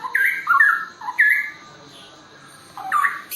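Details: Straw-headed bulbul singing in the forest: short rich whistled phrases that slide and step between lower and higher notes, a quick cluster in the first second and a half, a pause, then another phrase near the end.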